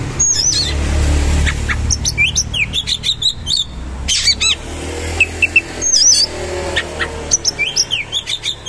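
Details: Oriental magpie-robin (kacer) pouring out rough-material song with shooting rolls: quick chattering chips, twisting whistles and repeated sharp notes in long streams, against a rumbling vehicle noise in the background.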